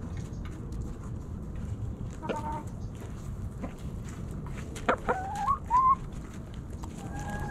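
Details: Backyard chickens, hens and roosters, snacking at Thanksgiving. Scattered low scratching gives way to a few sharp clucks and short rising, whistly squeaks in quick succession late in the clip.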